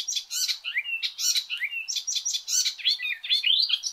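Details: Icterine warbler (Hippolais icterina), song.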